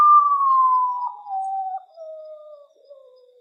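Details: Common potoo (Nyctibius griseus) giving its mournful whistled song: a loud, pure note sliding down in steps, fading over about three seconds. No other sounds.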